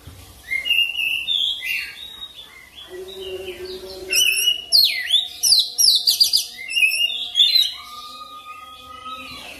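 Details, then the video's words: Lure song of an oriental magpie-robin, used to coax fast rolling singing: soft scattered whistles and chirps at first, then a loud run of rapid, varied trilled and twittering phrases, over a low constant hum. "PANCINGAN KICAUAN KACER CEPAT NGEROL"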